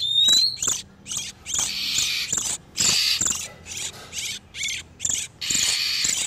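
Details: Male and female oriental magpie-robins in breeding condition, a lure to catch wild ones: one rising whistle at the start, followed by irregular harsh, buzzy chatter phrases of varying length.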